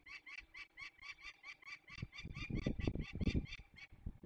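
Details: Young peregrine falcons being released in the Barycz Valley, Poland, on 27 May 2020, giving a rapid series of harsh, evenly repeated kek notes, about four per second, over low rumbling thumps and handling noise that grow in the second half.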